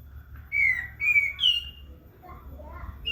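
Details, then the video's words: A short prinia burst: three loud, slurred whistles falling slightly in pitch, evenly spaced about half a second apart, then softer trailing notes. "Katem gacor besetan di ahir"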